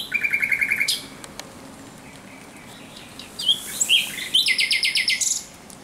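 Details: Thrush nightingale at night, 17 May 2023, opening with a rapid string of rattling chuck notes, falling silent, then resuming with squeezed whistles and a fast repeated buzzy rattle.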